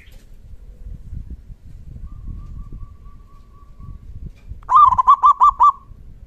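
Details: A local zebra dove with a strong 'kung' call meant to set other doves answering: after a faint, thin steady tone, a loud rolling phrase of five or six rounded, pulsing coos.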